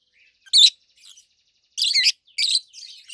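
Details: Adult rosy-faced lovebirds, a pair of opaline colour forms, calling loudly: harsh, high, buzzy squawks of half a second each, spaced by short gaps, with fainter chirps between.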